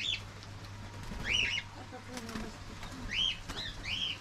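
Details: Cockatiels kept at home chirping in short upward-sweeping notes at irregular intervals, amid a busier background with fluttering wings, faint voices and clicking noises.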